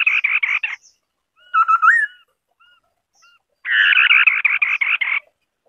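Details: White-browed scimitar babbler (Pomatorhinus schisticeps) singing: a short buzzy chatter, then a clear whistled phrase ending in an upward slur, a few faint soft notes, then a longer run of harsh rattling notes.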